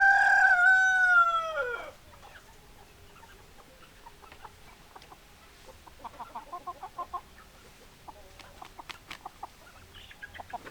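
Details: Chickens: a rooster's loud harmonic crow opens, ending abruptly near two seconds, followed by softer, quiet clucking and short hen notes scattered through the rest.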